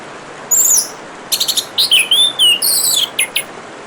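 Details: High, thin opening note from an orange-headed thrush, then a rapid stuttering series and a long, wavering whistle that drops away, with short chips at the end, all over a steady sound of running water.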